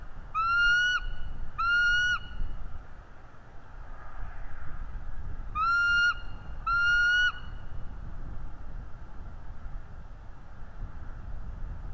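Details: Bald eagle chasing an intruder eagle away: two pairs of high, thin, harmonic whistled notes, each note slightly rising and held about half a second, pairs separated by a quiet gap of several seconds, with steady low wind-like background noise.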